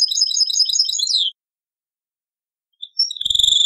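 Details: European goldfinch giving taqsrayn-style song from an old cassette: a dense burst of high twittering, a second of silence, then a new phrase with a drawn note and rising pulses.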